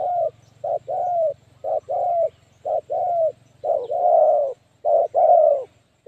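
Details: Decoy spotted dove calling to attract wild doves for trapping: clipped low coos, each followed by a longer, slightly falling coo, in a steady rhythm over six seconds, with a faint low hum behind.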